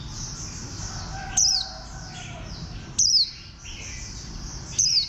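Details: Three crisp, very high notes from a warbling white-eye, each sliding downward, repeated roughly every one and a half seconds, with faint soft chirping and low background hum.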